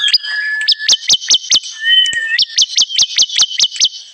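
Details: Bar-winged prinia sound used as a trapping lure: steady series of loud, high, downslurred chirps, roughly five per second, interrupted once by a thin whistled note before the series resumes.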